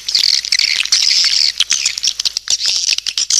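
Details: Swiftlets chattering in a lure call: high buzzy trills in bursts, separated by quick clicking chirps.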